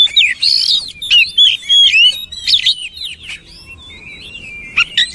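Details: Oriental magpie-robin delivering a loud, varied song of twisting whistled slurs and sharp chips in quick succession, then a pause and two brief notes at the end.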